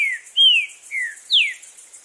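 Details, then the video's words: Strong song of a green-winged saltator in nature: four clear whistles in two seconds, sliding downward, the last starting highest and dropping steeply, over a faint background insect drone. "TRINCA FERRO CANTANDO FORTE NA NATUREZA!!!"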